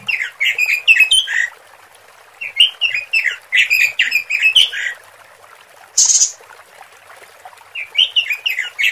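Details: A female robin's lure call for attracting males: bright, chattering bursts of quick high notes in phrases about a second long, separated by short pauses, with one brief hissing burst between them.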